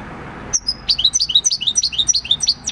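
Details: Six-year-old wild-caught European goldfinch, a field bird, singing its song of the countryside, recorded 26 December 2019; a rapid run of high, bright twittering notes, sliding and tinkling, following one another several times per second.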